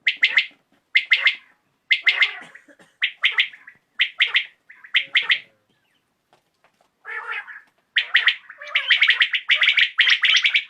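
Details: Evening calling of a common quail, a crisp triple-noted phrase repeated roughly once a second, a short pause, then dense overlapping bursts of the same notes toward the end.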